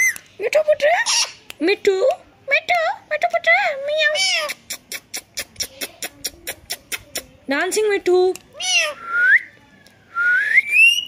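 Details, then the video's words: Pet talking rose-ringed parakeet imitating a cat's "miyaon miyaon" and saying "mithu put", loud and fast: nasal, wavering meow-like phrases, then a quick run of sharp even clicks, ending in two rising whistles. "he is saying mithu put and miyaon miyaon cat voice very loudly and very fast"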